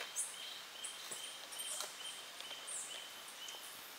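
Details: Little hermit (Phaethornis longuemareus) at Gran Couva, Trinidad, giving thin, very high squeaky notes in short, irregular bursts, over a steady high insect-like whine and soft background hiss.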